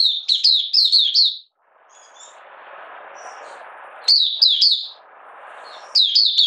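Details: Caged Oriental white-eye from Malaysia, in minor moult and not in form, 31 July 2023, buka sing: rapid bursts of crisp chirping notes, then a quiet stretch of hiss with faint notes, then renewed chattering.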